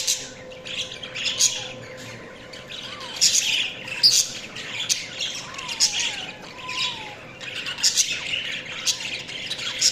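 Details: Budgies chirping in scratchy, buzzy bursts of chatter, with a few soft whistled notes sliding up and down underneath. A faint steady hum runs throughout.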